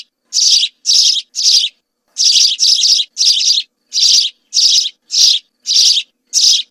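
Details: House sparrow song from a group of birds: a series of loud, buzzy chirps in two runs separated by a short pause, a pair of chirps run close together in the middle.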